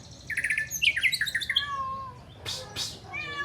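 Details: White-rumped shama delivering imitated flycatcher phrases: quick pulsed buzzy trills, then clear falling whistles and two harsh rasping bursts, against low background hum.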